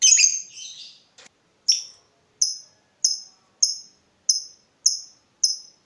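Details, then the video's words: Lovebird used as a training lure: a short scratchy chatter, then a series of sharp, high, clipped chirps repeated evenly about every 0.6 seconds. "Pancingan lovebird terbaik bikin lovebird anda panas"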